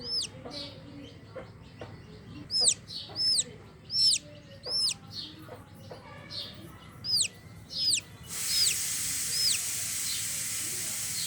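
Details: Unhatched chicken chick peeping from within the eggshell: loud, high, down-curving peeps repeated roughly every half second for eight seconds, then a steady hiss takes over with a few faint peeps.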